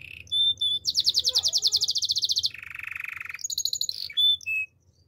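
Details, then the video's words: Morning song of a Belgian canary. Clear whistled notes lead into a rapid, buzzy high trill, then a lower rolling trill, and close with a few short whistles. "Belgian canary singing in the morning"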